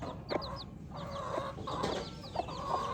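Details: Baby chicks chirping: bright, falling peeps in short bursts, alongside softer level trills and a few clicking taps.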